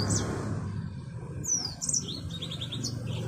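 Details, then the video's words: Yellow-fronted canary, called the African Mozambique finch and kept as a breeding and tutor bird, gives scattered high, thin chirps and short descending whistled slurs over a steady low hum. "Burung Finch Mozambik Afrika"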